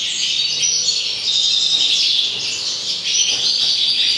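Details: A thick, high chatter of European goldfinch song, recorded in 2019, runs without pause as tinkling and buzzy notes overlap, dipping briefly near the end before resuming.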